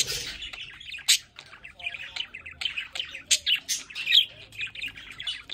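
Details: Several pet budgerigars at a window at home chatter continuously in a fast, scratchy warble of clicks, squeaks and short sharp chirps.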